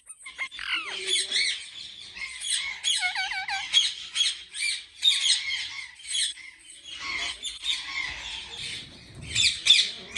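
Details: Ringneck parrots at a large breeding farm in Pakistan: many birds calling together in harsh, raspy squawks, overlapping and continuous, with a short run of rising, looping whistled notes near the start.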